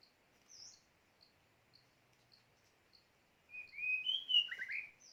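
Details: White-rumped shama used as a decoy for luring and trapping birds; faint, evenly spaced high ticks, then a short burst of rich, varied warbling with sliding, slurred notes near the end.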